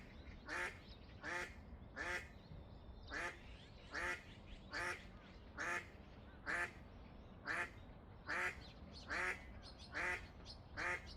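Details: Eastern spot-billed duck quacking steadily, eleven loud nasal quacks spaced roughly one second apart in an even rhythm, with faint background noise between calls.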